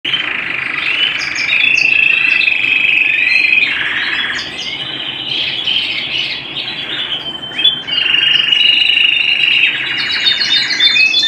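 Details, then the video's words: Canary singing at home, a continuous song of sustained high whistled rolls near the top of its range, broken by quick repeated chirping notes, with a faint low hum beneath. "canary bird - canary singing - canary sounds - canary singing at home - beautiful canary birds"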